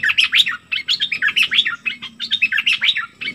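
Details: Flowerpecker singing excitedly: rapid high chirps and sharp downslurred notes tumble together in dense, lively bursts with hardly a pause.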